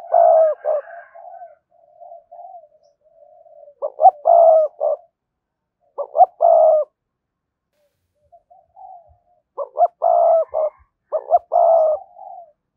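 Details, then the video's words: Decoy spotted dove coo meant to draw in wild doves: loud phrases of clipped double notes ending in a longer throaty note repeat every few seconds, with faint low cooing between and a silent gap midway. "cu gáy kích bổi hiệu quả/ giọng nhạy bổi nhất hiện nay"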